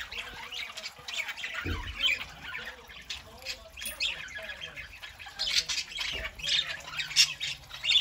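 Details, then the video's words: On a Saturday morning, pet parakeets keep up soft, scratchy warbling, then a run of sharper squawks near the end. Dull thuds are heard early on. "Parakeets Saturday morning"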